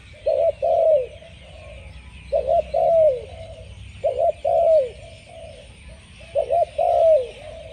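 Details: Spotted dove singing: four phrases, each a short broken double coo followed by a longer, slurred coo that falls in pitch, repeated about every two seconds over a steady low hiss.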